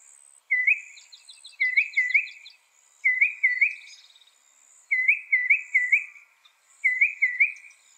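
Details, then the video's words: Northern mockingbird, credited with copying 200 sounds: clear whistled notes given in pairs and triplets with pauses between, plus a faint, high, rapid ticking trill. The background is otherwise quiet. "Masteran suara burung NORTHERN MOCKINGBIRE bisa merekam 200 suara"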